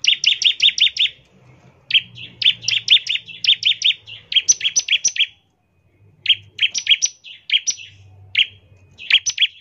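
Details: Singing bar-winged prinia delivering ngebren-style bursts meant to draw other prinias into song: quick trains of bright, high chirps broken by short gaps, with a faint low hum underneath.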